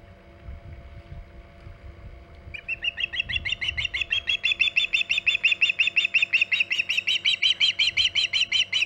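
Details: Osprey at the Hog Island nest, 14 August 2019 around 11:45 am EDT, during extended nest time: after a quiet start, a rapid series of high, whistled chirps begins and grows louder, about three per second, over steady low electrical hum.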